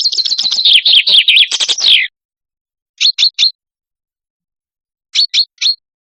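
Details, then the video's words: Lebanese hunting-lure recording of a chaffinch: a two-second rattling trill of rapid notes falling in pitch to a flourished close, followed by two separate sets of three crisp, high chirps about two seconds apart. "صوت صلنج ٢٠٢٥ - صوت نقي BirdCall Chaffinch"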